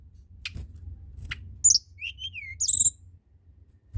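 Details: Tledekan gunung (blood-breasted flowerpecker) singing hard to encourage other birds: a few sharp ticks, a high sliding note, wavering mid-high whistled phrases and a quick high trill, on a soft low hum.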